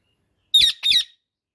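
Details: Two loud, harsh screeching squawks from an Indian ringneck parakeet, each about a quarter second long, separated by a brief gap, with silence before and after.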